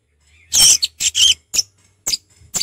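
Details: Orange-headed thrush in the relaxed ngeplong singing style, giving harsh, scratchy high bursts and short clipped notes in an irregular series, with brief quiet gaps between phrases.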